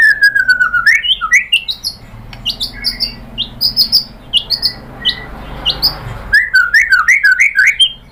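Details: White-rumped shama (murai batu) bait song meant to provoke other shamas into singing: rapid, varied high chirps and short descending note runs in dense phrases, with a steady low hum underneath through the middle stretch.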